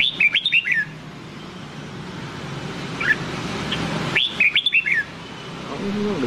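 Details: Training song in the Nam Đông style from a red-whiskered bulbul: a fast phrase of crisp, swooping whistles, a lone chirp in the middle, then a matching phrase about four seconds after the first, over low hiss.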